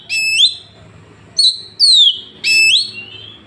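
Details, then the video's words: Oriental magpie-robin recorded on a phone in Woncoyo village, Trenggalek, Indonesia, giving loud clear whistled notes, some rising and one falling sweep, in short bursts separated by pauses; low background hum. "Tembakan kacer paling di cari sekali bunyi langsung bongkar"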